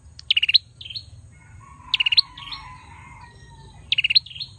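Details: Male bar-winged prinia song: strident trills of five quick high pulses, each trailed by a dipping whistle, repeated about every one and three quarter seconds, with a faint lower warble between.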